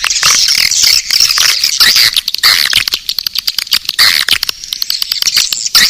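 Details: Calling sound for attracting swiftlets, the Naga Birahi track: steady high buzzing twitter from many birds, broken by fast sharp clicks in uneven bursts.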